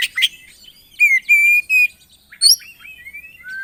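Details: Kacer, the Oriental magpie-robin, singing in 'gacor isian' style with varied fill phrases. Quick chirps open into clear, flat harmonic whistles repeated three times, followed by a high rising note and a falling slur.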